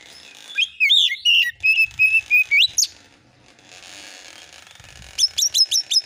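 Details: Oriental magpie-robin song used as a lure to make other birds answer: jumbled scratchy whistles, then six short level whistles and an upward sweep, a quiet gap, and a quick series of sharp high notes.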